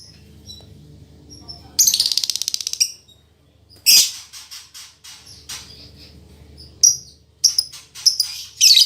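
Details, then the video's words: Female lovebird kept as a cage bird, described as a fighter type that sings as vigorously as a male: harsh, buzzy high chatter in bursts, one rapid pulsed run near two seconds, with short sharp squeaks between. "Suara Burung Lovebird Betina Fighter"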